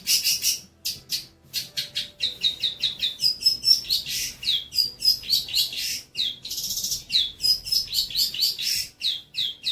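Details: A long-tailed shrike sings tutor material for young shrikes: a lively, nearly continuous stream of high chirps, clipped whistles and buzzy notes that change in quick succession, with a few clear thin whistled tones.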